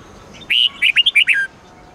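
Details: Red-whiskered bulbul singing a training phrase for caged birds, the twisting 8-9-10 note style: a held whistle followed by five rapid, bright warbled notes within about one second, over quiet background.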